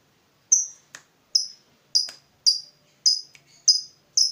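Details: Fighter lovebird provoked on seeing a rival: sharp, shrill, high chirps given singly, about one every half second, each falling briefly, with short clicks between; otherwise quiet.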